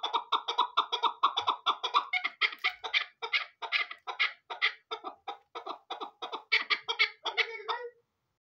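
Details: Chukar partridge, a hunting bird, gives a fast series of harsh, clucking chuk notes about twice a second. The rhythm is uneven, and the run ends abruptly after nearly eight seconds.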